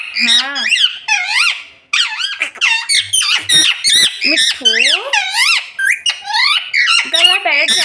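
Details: Pet parrot talking nonstop in a run of squeaky, nasal, speech-like syllables with sweeping up-and-down pitch, packed closely over about eight seconds with one brief pause.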